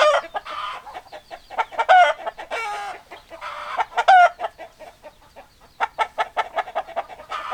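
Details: Chickens, hens clucking with roosters: rapid clucks in runs, several harsh drawn squawks and wavering calls, then a quick series of sharp clucks.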